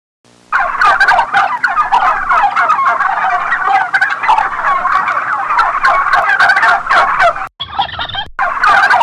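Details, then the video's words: Turkey gobbling in a dense, continuous babble of rapid rattling notes that barely pause for about seven seconds, with a brief break near the end before the gobbling resumes. "Turkey sound for kids"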